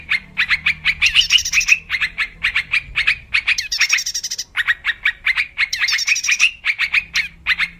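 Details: Wild yellow-vented bulbul in a lure recording for trapping: rhythmic series of sharp chirps in quick succession, with a few bright whistled accents and bursts of bubbly rattling.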